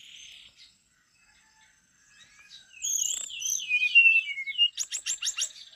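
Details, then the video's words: Brown-chested jungle flycatcher singing a lively warbled run of looping whistles and rolling notes, followed by a quick series of five sharp high ticks; a soft buzzy note and short pause come first. "SRDC (sikatan rimba dada coklat) gacor teler"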